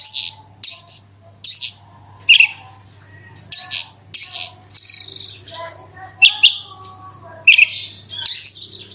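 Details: Fast, busy song of a branjangan, played as a lure for other birds: rapid harsh chirps and high buzzy trills in close succession, with quieter twittering underneath and a low mains-like hum.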